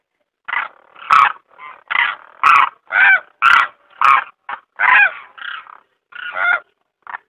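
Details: Demoiselle cranes (Grus virgo) in South Asia give harsh, rolling, trumpet-like croaks, about two a second, some overlapping as if several birds call together.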